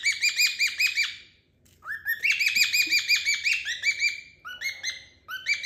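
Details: Pair of pet cockatiels in a playful indoor exchange, giving rapid runs of rich, harmonic chirps in bursts of several notes, briefly pausing, then resuming, with a faint low room hum beneath.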